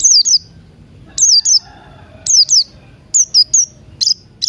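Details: Morning song of Buxton's white-eye, played to coax silent birds into singing, with Crested Jay sounds mixed in: sharp, high notes sliding downward, delivered in twos and threes, with short quiet gaps between bursts.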